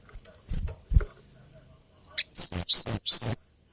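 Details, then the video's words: Tledekan gunung, the hill blue flycatcher of Java and Kalimantan, sings four loud, high, clear notes in quick succession, following a few low thuds. "TLEDEKAN GUNUNG KICAU MERDU"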